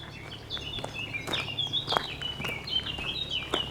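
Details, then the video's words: Small birds singing during a walk along the cliffs by the Lot near Saint-Cirq-Lapopie; repeated clear whistled phrases around high pitch, several overlapping notes, with footsteps and a soft rural background. "Bien, la promenade continue d'être belle avec les petites oiseaux qui chantent. Oh"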